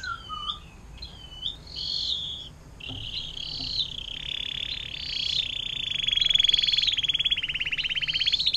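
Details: Canary; song; tutor recording for training other songbirds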